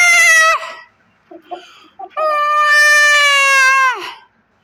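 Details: A chicken on a large poultry farm in Pakistan gives a brief harmonic cry, then a long, strained, steady-pitched crow that drops away at the end, with faint scattered noises between.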